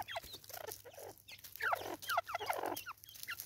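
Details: Natal spurfowl in South Africa, 2024: grating, rasping notes repeated in quick succession, each sliding downward, building to a loud harsh chorus mid-way over a faint background hum.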